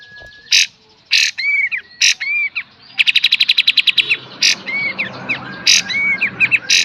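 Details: Kapas tembak singing a full beset and tembak master song for cage-bird tutoring: loud rasping bursts alternate with arched whistled notes, then a quick run of clipped high chips, then more bursts and whistles.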